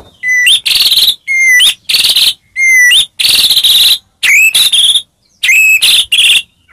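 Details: White-rumped shama lure to provoke a quiet bird: clear pure whistled notes, each followed by a loud buzzy rasping phrase, repeated in several rounds with short pauses.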